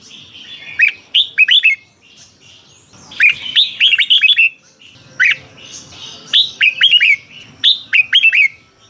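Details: Thai caged Red-whiskered bulbul singing, used to rouse other caged birds; four lively phrases of rapid rising and falling whistles about every two seconds over a faint low background rumble.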